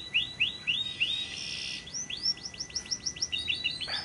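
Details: A lovebird gives a long ngekek chattering trill used as a lure for other lovebirds: sharp, shrill high chirps several times a second, briefly swelling into a harsh run before the notes resume.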